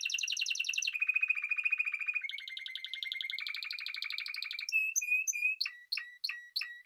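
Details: Spanish timbrado canary delivering a string of rolling, water-like trills at shifting pitches, followed by spaced whistled notes and sharp clicks.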